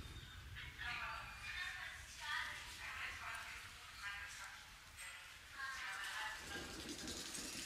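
Common hill myna giving loud, voice-like whistles and chattering phrases in bursts about every second, over a steady low background hum.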